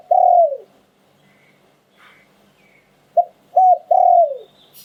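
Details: Spotted dove song in the Thai lu'tan and karam styles: a long falling coo, then after a pause two clipped coos leading into another drawn-out descending coo, with faint bird chirps between phrases.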